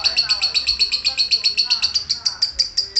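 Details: Lovebird giving a fast series of sharp, high chips, evenly repeated about five per second, each note clipped and bright, with faint lower murmurs beneath.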